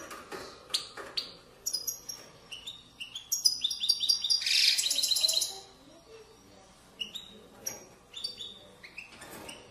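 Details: European goldfinch singing in the authentic Moroccan widani style from valley banks, 2020: scattered high chirps, then a dense twittering burst of rapid, rattling notes mid-way, with a faint low background hum.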